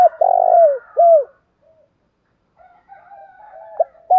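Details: Spotted dove call in the 'thổ dồn thúc đầu' style for stimulating decoy birds: a long grating coo dropping in pitch and a shorter down-slurred coo, then a pause, quiet cooing and a new phrase starting.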